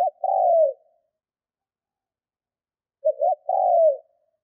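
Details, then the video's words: A trained decoy spotted dove cooing to provoke wild doves; end of one phrase, a pause of two seconds, then a stuttered two-note start and a long soft falling coo; nothing else audible. "Chim cu gáy mồi Thúc - Gù hay kích bổi"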